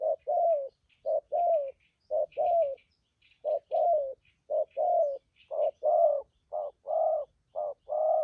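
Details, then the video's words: Wild-caught spotted dove with a strong voice, cooing in the thúc gù style: low, mellow hooting coos in short and drawn-out pairs, roughly one per second, with a faint higher chirping in the background. "cu gáy bổi thổ tốt tiếng , hàng thúc gù"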